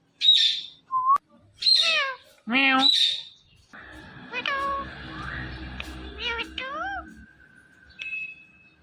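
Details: Indian ringneck parrot talking, uttering speech-like harmonic syllables and short squawks in bursts, with a high whistled note near the start and a quieter stretch of mumbled, voice-like sounds in the middle.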